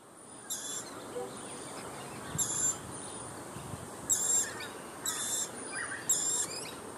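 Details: A lorikeet in Biambi Yumba Park, Fig Tree Pocket, Brisbane, Australia, 16 December 2014, gives harsh, high screeching bursts, each under half a second, roughly every one to two seconds over steady hiss.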